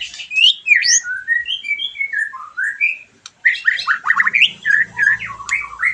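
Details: White-rumped shama song for stimulating a bird after moulting: a falling sequence of clear, separate whistles, a brief silence, then a choppy, rapid phrase of slurred notes over a faint low hum.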